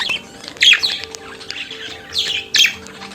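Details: Budgerigar singing and chattering, softer here: a few hoarse, slurred warble bursts, two louder ones standing out, against a faint low background hum.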